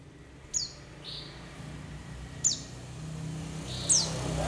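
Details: White-eye lure calls for trapping and prompting birds to sing, with forest and flock background: three thin, high chirps dropping quickly in pitch, about 1.5 seconds apart, with softer faint notes and a low rumble like distant traffic.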